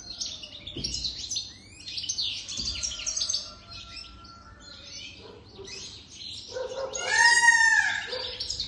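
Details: Over-three-year-old jadr European goldfinch giving fast twittered phrases and chirps, then a different, lower, harmonic call comes in near the end.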